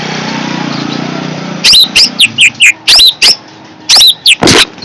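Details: Long-tailed shrike, described as fierce, gives loud harsh notes and slurred whistled phrases in quick bursts after a stretch of low steady background hum.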